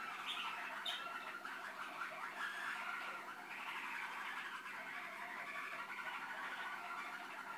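A Malinois canary sings a steady, rolling song of low, bubbling trills and tours that run on without a break, with a few brighter notes near the start.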